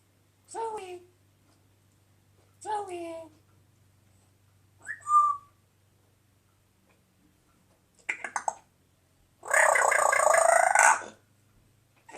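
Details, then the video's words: A Congo African grey parrot gives two falling, word-like phrases, a short whistle, then a raspy burst and a long, harsh squawk, with quiet pauses between. "Congo African Grey Parrot Talking"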